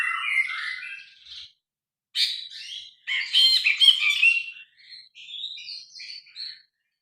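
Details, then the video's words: Grey-cheeked bulbul in energetic song, captured by phone with original sound: scratchy warbling, then loud bursts of grating chatter, trailing off into softer, varied squeaky and whistled notes. "Burung brinji kelabu gacor. Masteran burung.Suara burung brinji kelabu"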